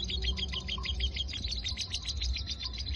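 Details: Caged pet lovebird, raised from a young bird into the continuous 'konslet' singing style: rapid high chirps and twittering notes run together without pause over a steady low hum.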